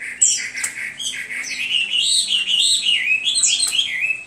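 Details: Hwamei singing a loud, continuous run of whistled phrases that slide up and down, with sharp high flourishes toward the end.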